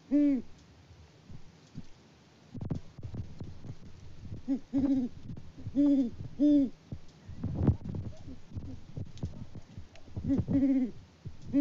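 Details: Mated pair of wild Great Horned Owls hooting back and forth at a farm in Peabody, Kansas, in February, the male out of view before leaving for his roost; deep, low hoots in short series with pauses between.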